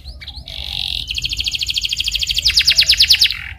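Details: Canary rolling trill played as a lure so a listening canary starts singing: a brief whistled note, then a long, rapid, high trill of repeated chirps that grows louder and coarser toward the end.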